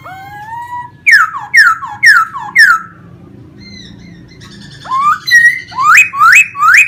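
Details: Vietnamese pet laughingthrush singing as it fan-dances; rising whistles, then four loud looping notes, a pause with soft tones, and a closing series of sharp upswept whistles.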